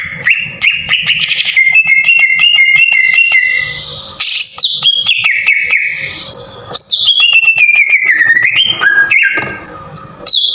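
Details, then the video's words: Green leafbird in energetic, rough song used as a lure to trigger singing in other leafbirds. Fast ticking notes over held whistles give way to buzzy slurs and a long descending whistled run. "PANCINGAN PENDONGKRAK EMOSI CUCAK IJO TEMBAKAN KASAR"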